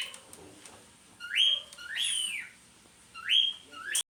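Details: Somewhat distant cockatiel chatter: two pairs of short rising whistled calls, each second note arching higher and falling, over a quiet background.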